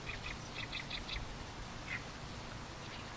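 An Oriental reed warbler sings a burst of harsh, grating notes, about six in quick succession, then a lone croak after a pause, over a low background rumble.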